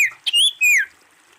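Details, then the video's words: Wild female common iora giving short whistles: a brief falling note, a sharp chip, then two loud clear whistles, the second dropping in pitch. "SIRTU/CIPOH GACOR Suara"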